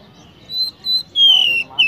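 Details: Oriental magpie-robin, known locally as kacer, singing: three clear whistled notes, two level and one sliding slightly downward, with quiet gaps between them.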